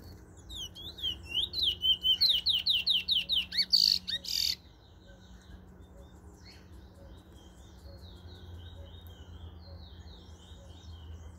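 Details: Bullfinch in Trinidad: a fast run of about a dozen rising, slurred whistled notes over four seconds, ending in a loud buzzy flourish, then quieter chips against a steady insect drone and low rumble.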